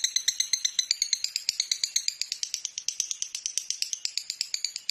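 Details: Indonesian master recording of a lovebird for songbird training: harsh, rattling high chirps repeated quickly and unevenly without pause for nearly five seconds.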